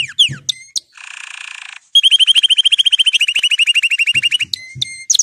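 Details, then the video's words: Canary song mixing quick falling whistles, a harsh buzzy nasal passage, and a long steady rolling trill of repeated notes, ending with scattered high chirps and low taps. "canari chant ساعة لتحفيز الكنار على الغناء"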